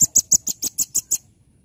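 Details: Velvet-fronted nuthatch in full, energetic song: a rapid series of eight sharp, high chipping notes, evenly spaced about every 0.16 seconds, ending abruptly, with little background noise.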